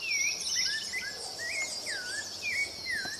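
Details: Rufous-bellied thrush singing in the open: a run of clear whistled, slurred phrases around mid pitch, rising and falling notes strung together, over a steady high insect hum.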